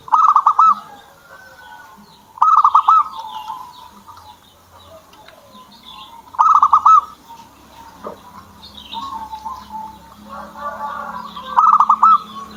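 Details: Kept zebra dove singing short bright bursts of rapidly pulsed cooing notes, four bursts spaced irregularly several seconds apart. Softer murmuring coos and scattered high chirps from other birds fill the gaps.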